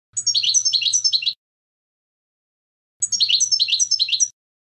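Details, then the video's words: European goldfinch clean contest song, canto limpio, used for tutoring young goldfinches. Two short bursts of quick twittering notes, each just over a second long, come about three seconds apart. A faint low hum is heard beneath them. "Canto Limpio del Jilguero | Chant chardonneret"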